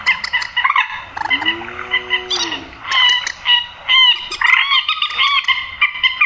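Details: Grey-headed swamphen call used to draw birds into nets at night: choppy, nasal, harmonic squawks, with a lower drawn-out moaning tone near the second second, then a busy stretch of wavering, rising notes.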